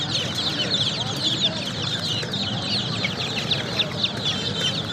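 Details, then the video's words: Baby chicks chirping as a dense crowd, overlapping high, thin peeps running steadily throughout, with a low background rumble. "Baby Chicks Chirping sound"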